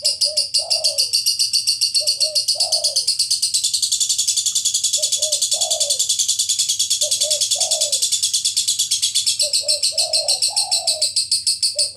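Spotted Dove giving soft, low, two- to three-part coos about every two seconds, under a constant shrill, busy chatter of lovebirds.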